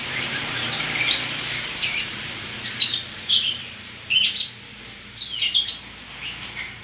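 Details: White-rumped shama singing, bright high chattering bursts repeated roughly every second alongside thin whistled notes, with a low steady hum underneath.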